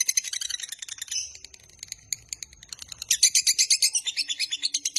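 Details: Lovebird ngekek panjang for training and luring: dense shrill chatter at first, a quieter stretch of sparse clicks and chirps, then renewed fast raspy trilling.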